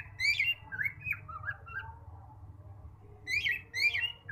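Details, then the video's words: Male cockatiel giving bright whistled chirps, short rising and falling notes in two bursts separated by a pause, over a steady low hum in the background. "beautiful male cocktail parrot voice"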